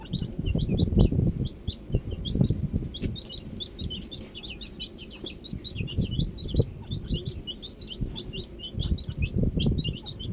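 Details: Baby chicks outdoors, many high peeping chirps in rapid overlapping series, with strong low rumbling thumps and handling noise throughout.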